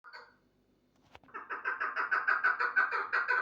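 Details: Chukar partridge calling: after a brief faint cluck and a sharp click, a fast run of harsh, clucking notes starts and builds, repeated about three times a second and getting louder toward the end.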